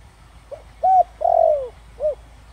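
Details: Single spotted dove phrase in 'thổ đồng' style for luring wild doves: faint pickup note, level arched coo, long buzzy downward-sliding coo, then a final rounded short coo.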